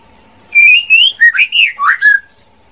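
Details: Brief phrase from a female white-rumped shama: a clear rising whistle followed by a few quick, warbling slurs ending on a falling note.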